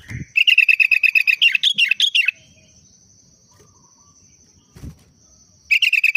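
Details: A Sooty-headed bulbul whose daily song follows the Trucuk style delivers a long, lively chatter of rapid repeated notes breaking into rich warbles, then starts again after a pause, over a steady high whine and an occasional knock.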